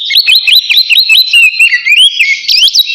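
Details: Oriental magpie-robin singing in the loud 'ngeplong' style, calling out to a rival, used as a lure to get other birds singing; a dense, continuous run of clear whistled notes sliding up and down, mixed with quick sharp chirps.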